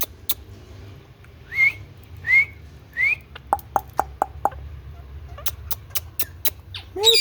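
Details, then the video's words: A rose-ringed (ringneck) parakeet gives three rising whistled calls, then a quick run of sharp clicking notes ending in a harsh squawk. "RINGNECK PARROT CLEAR SOUND"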